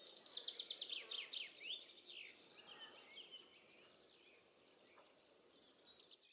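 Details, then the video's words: Common firecrest song from the Eifel near Dohr, Germany, taken with a Sony RX10 IV: another bird's descending chirps open, then a piercingly high, quickening series of notes climbs and swells before breaking off abruptly. "Common firecrest singing. Sommergoldhähnchen singt."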